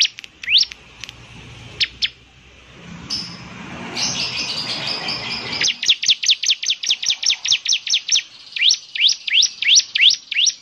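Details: Bar-winged prinia singing: scattered upswept chips, then a long, rapid series of high sharp notes and rising slurred whistles repeated about two to three per second.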